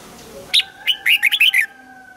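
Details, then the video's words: Red-whiskered bulbul sings a double-note wild-style phrase in morning voice training: one high note, then a rapid run of six bright, rolling notes, over a steady faint humming tone. "Luyện giọng cho chào mào hót sáng, ép chào mào hót âm kép già rừng hay tuyệt!"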